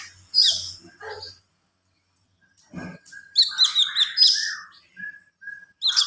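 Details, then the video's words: Javan pied starling singing a full-of-fill-ins song: bursts of high chirps and whistles, a short pause, then a quick run of scratchy notes and clear whistled phrases with some falling slurs. "SUARA KONIN GACOR FULL ISIAN"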